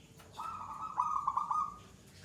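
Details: Single perkutut (zebra dove) phrase from gacor, the third song stage with long bouts: one sustained, vibrating coo of about one and a half seconds, rolling into a few pulsed beats near the end.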